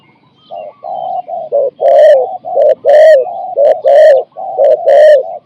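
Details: Decoy spotted dove used to lure and capture wild doves, giving a cooing style of four to five notes. Deep, hollow, mellow coos in short linked phrases, about one per second, with strong overtones. No other clear sounds.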